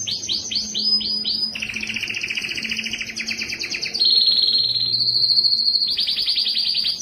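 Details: Strong canary song aimed at stimulating males and females and tutoring fledglings: a string of quick downward-swept notes, then fast rattling rolls, a level buzzy tour, and renewed swept notes.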